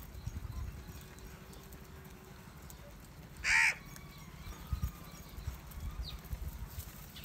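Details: House crow, angry and gathering over rice food: one loud, harsh caw in the middle, with faint distant calls later over a low background rumble.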